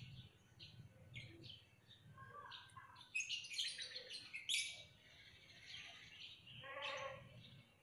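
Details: Lovebird twittering in a rapid, busy run of thin, high, buzzy chirps and squeaks, rising in loudness midway, then a few lower, harsher notes near the end.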